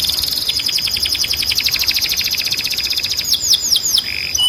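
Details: Canary training song for young and male birds, opening with a long rapid trill of evenly spaced pulses, then a few loud sweeping downslurred notes and a brief low rattle at the end.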